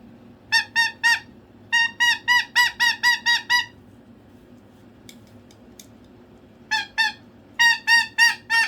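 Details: A pet cockatoo making noise for attention gives loud, nasal, honking squawks in quick bursts of four to seven notes, about four a second, with pauses between, over a low hum.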